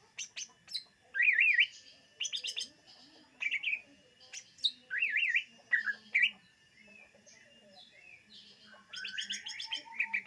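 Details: Greater green leafbird singing, a recording meant to lure birds: zigzag warbled whistles alternate with sharp chirps and buzzy bursts, phrases separated by brief gaps, over a faint constant hum.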